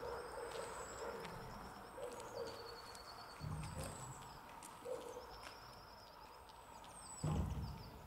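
Soft, low, hooting coos of a wood pigeon, faint against a background of thin, high twittering from other small birds and low rumbling noise.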